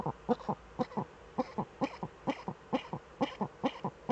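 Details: Eurasian eagle-owls, both birds in the nest hollow, caught by a webcam on 6 March 2013; short husky, coughing notes repeated a little over twice a second, mostly in loose pairs.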